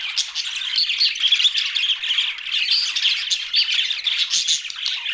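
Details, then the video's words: Group of budgies chattering nonstop, a thick blend of warbled twitters, chirps and harsh squawks, level and continuous throughout. "Budgies Australian parrot sounds"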